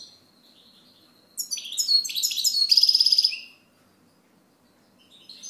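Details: Song of a European goldfinch: a thin high note, a pause, then a sudden cascade of bright, liquid twitters running into a rapid, rattling buzzy trill lasting about a second.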